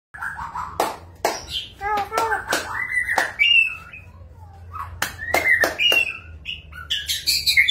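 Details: Magpie-robin singing varied whistled and warbled phrases that rise and fall between phrases, broken by loud sharp clicks or taps, with a voice possibly audible early on.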